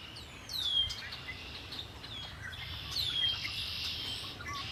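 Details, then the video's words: Lakeside birdsong at Lake Erie: two bright downward-sweeping whistles stand out above a continuous high buzzy trill, with faint chirps and a low background hum. "Birds singing by Lake Erie"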